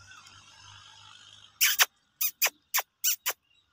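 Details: A baby rose-ringed parakeet (Psittacula krameri), while eating, gives about seven short, harsh, raspy squawks in quick, uneven succession, after a moment of low electrical hum.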